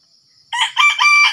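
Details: A Sumatran red junglefowl gives a loud, raspy crow while wild birds are being lured with a decoy. Several rough, choppy syllables run together and the sound is cut short, with constant shrill insect drone behind.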